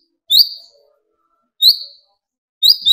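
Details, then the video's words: Lure recording of a sunbird (kolibri ninja) meant to rouse other birds: three high, thin slurred notes, each about a second apart, the last doubled. "burung konin gacor pancing tembakan konin dari yang trotol sampai full metalik nembak emosi"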